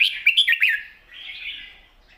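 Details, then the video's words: Red-whiskered bulbul, long song with singing and rik notes in wild style: a quick run of bright slurred whistles, then a fading softer warble. "เพลงยาว ปากเบา ร้อง+ริก /สำนวนป่าๆ"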